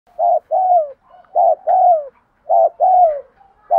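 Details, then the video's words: Spotted dove cooing, used to train decoy birds to coo: low, mellow coos in paired phrases, a short note followed by a longer falling one, repeated three times with brief gaps, in a clean, quiet setting. "Luyện cu gáy mồi gù mỏi cổ vơi vdeo này/ cu gáy thúc gù"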